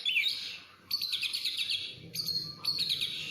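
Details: Kacer (Oriental magpie-robin) delivering very high, buzzy, rattling chatter in three bursts after an opening falling whistle, the rasping notes packed tightly together, with faint low hum behind.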